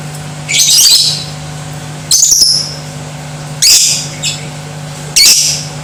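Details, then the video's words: Lovebird, used to provoke other lovebirds to fight and sing: four loud, shrill, raspy chattering bursts at irregular intervals of about one and a half seconds, over a faint steady hum. "Di Pancing Suara Lovebird Ini , Bikin Jadi BRIGAS"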